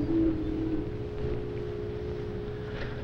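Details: Steady electrical hum with low tones and faint hiss, and no animal voice.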